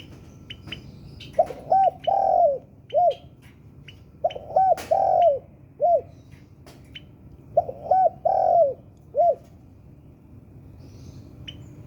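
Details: Spotted dove of the 'sultan' type, singing vigorously, used as a lure to make other birds sing: three phrases of low, rounded coos, each with short coos and one long drawn-out coo, with faint high chirps between.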